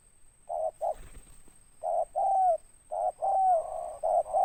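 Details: Spotted dove of the deep raspy 'ngeruk' type with 'tindan': loud coo pairs, short then long, coming faster toward the end with overlapping notes, and a soft rustle near the first second, over a thin high whine.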